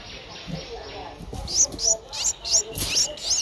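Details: Streak-eared Bulbul nestling aged 10 days, Ubon Ratchathani, Thailand, April 2023; after a quiet start with faint low sounds, high shrill squeaky chirps follow in quick succession.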